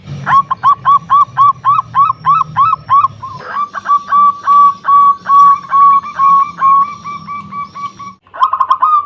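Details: Local zebra dove with a powerful voice singing to lure rivals: about a dozen punchy coos, then a long chain of smoother drawn-out whistled notes, a short cut, and a final rapid trilled burst.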